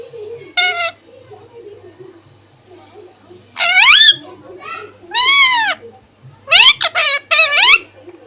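A parrot gives several short, harmonic, speech-like utterances that rise and fall in pitch, spaced over a few seconds, against quiet indoor murmur.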